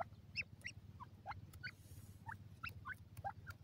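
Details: Grey francolin chicks, local name dakhni teetar, investigating their environment: lively, irregular chirping with many short upslurred and downslurred peeps, some higher and squeakier, nearly continuous over a low hum and occasional clicks.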